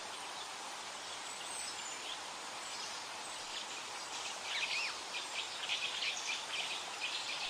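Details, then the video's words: Wild birds singing by a river: after a steady rushing hiss, a burst of quick, high, scratchy chirps and twitters starts midway and repeats rapidly, layered over the constant broad background noise of flowing water. "Birds Singing on the River"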